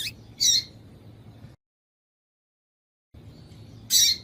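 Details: Female double-collared seedeater calling to stir a male into singing: two short, very high harsh squawks about 3.5 seconds apart, separated by a stretch of silence, with faint low hum underneath.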